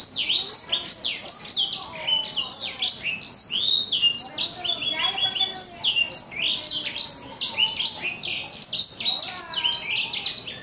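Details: Black-throated canary, four months old, in rough but crunchy "kriuk-kriuk" voice, delivering a long unbroken torrent of fast, high chattering notes, steep down-slurs and brief trills, dense and scratchy throughout with no other sounds.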